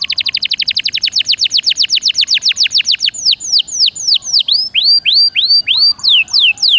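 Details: Song of a caged canary, meant to restart a silent bird's singing: a long fast series of descending chirps, slowing into louder, spaced, bell-like downswept whistles.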